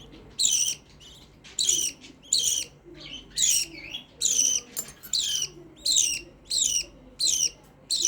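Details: Noisy pet black-face budgerigar calling steadily: about eleven sharp, scratchy chirps over eight seconds, spaced roughly every 0.7 seconds, bright and high, with faint hum in the background.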